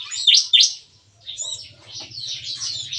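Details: Captive bar-winged prinias singing in the morning inside a breeding aviary: two loud, sharp descending chips, then a busy stream of high twittering, over a low steady hum.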